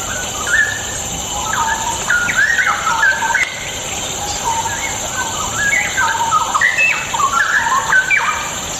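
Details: Rich, loud warbling from a straw-headed bulbul, played to stir lazy birds into song; several bursts of rapid, gurgling, up-and-down whistles separated by brief pauses, over steady background hiss.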